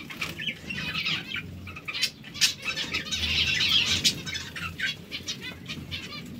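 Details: A group of hungry zebra finches chattering with rapid, buzzy nasal notes, rising into a dense chorus in the middle, plus soft wingbeats and clicks.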